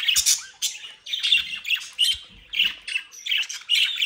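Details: Home-bred budgerigars in the Den Haag region of the Netherlands give short, scratchy warbled calls in bursts about every half second, each a buzzy chirp, with faint low knocks between them.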